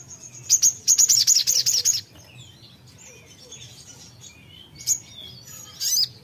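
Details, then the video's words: Songbird calling back shortly after playback: an intense two-second volley of piercing high, rapidly repeated notes, followed by soft twittering and a few sharp chirps; faint low hum. "putar sebentar langsung nyaut sogon nya"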